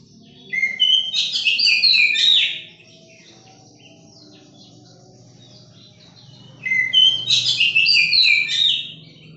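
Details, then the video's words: Young captive oriental magpie-robin kept for taming and singing, giving two bursts of rich, varied whistled warbling about four seconds apart, with a quiet gap and faint low background hum between them. "Seting rawatan Kacer giras agar jinak dan bunyi"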